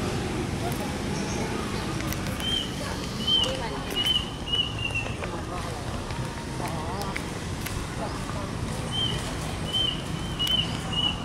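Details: A Plaintive Cuckoo at Thammasat University's Rangsit campus, Pathum Thani, Thailand, on 20 February 2013, gives two runs of four or five thin, high whistles sliding slightly downward, half-buried in a steady rushing background.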